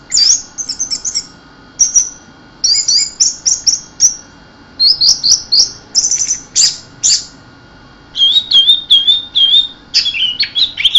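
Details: Anis merah (orange-headed thrush) in 'keserr' singing mode, running through bright high chirp clusters and trills, then a wavering whistled warble near the end, with regular short silences between phrases.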